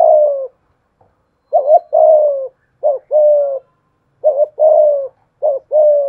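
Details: Cooing decoy spotted dove with 'thổ pha thúc' voice, set against a wild dove: four low phrases, each a quick hitched note followed by a sustained, gently falling coo.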